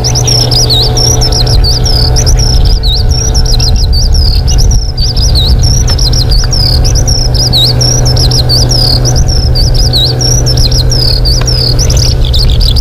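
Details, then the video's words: Bushlark singing in the wild: a continuous run of wavering, warbling whistled phrases with quick rising and falling notes, over a steady low engine-like hum and background rumble. "Burung Branjangan di alam"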